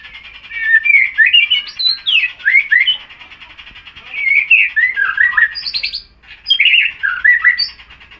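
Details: A young White-rumped Shama, under about 6 months old, singing diligently with its tail feathers newly grown in, gives rich, varied phrases of sweet whistles, slurred notes and harsh chattering trills, in bursts separated by brief pauses; nothing else is heard.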